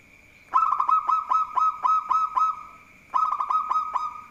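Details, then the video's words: Local zebra dove (perkutut lokal) in full voice, said to be good at provoking rivals: two loud rolling cooing phrases, each a quick stutter of pulses running into a sustained vibrating coo, separated by a brief pause, over a steady high background tone. "Perkutut Lokal Gacor || Jago Mancing Lawan"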